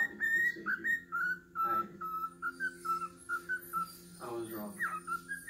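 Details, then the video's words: Male pet cockatiel on Halloween, singing to its owner's foot the whistled tune "Twisted Nerve": clear, tonal, slightly falling whistled notes in a repeated phrase, with a brief human voice near the end. "cockateil sings to my foot"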